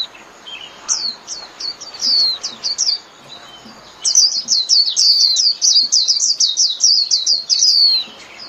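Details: Rapid twittering song from a white-eye calling the flock: quick bursts of high, downslurred whistled notes, sparse at first, then a dense run of about twenty notes at a fast, uneven pace.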